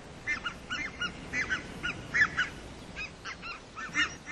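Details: Red-breasted goose, described as a colourful waterfowl: a flock giving quick, high, yelping two-part honks in rapid irregular bursts, many birds calling over one another, with faint background hiss.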